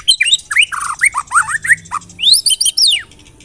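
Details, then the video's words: White-rumped shama lure song for drawing out singing: quick rich whistled slurs and warbles, ending in a cluster of high upward-sweeping notes. "LANGSUNG CEPAT NYAMBER TAK TAHAN DIAM MURAI MENDENGAR PANCINGAN INI"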